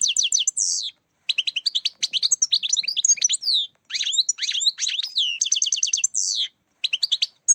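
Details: Goldfinch song played as a lure for trapping birds, bursts of fast, liquid twitters and buzzy slurred notes in phrases of about one to two seconds separated by short pauses, bright and high-pitched throughout.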